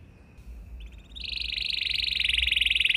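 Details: Canary singing a special song meant to make other canaries sing in reply; a faint thin tone opens, then a buzzy rolling trill rises and grows steadily louder toward the end.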